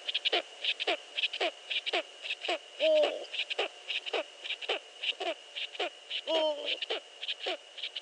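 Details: Before dawn on 15 March 2013 at 5.31 AM, a Eurasian eagle-owl gives rapid falling notes, nearly two a second, broken twice by louder wavering harmonic cries. A thin constant high tone and clicks sound in the background.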